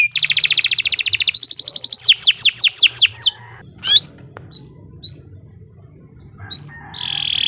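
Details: Canary, a long song used for tutoring young birds: a rapid buzzy trill, then a run of about five downward-sweeping whistles, followed by scattered short chirps and a final sustained buzzy note.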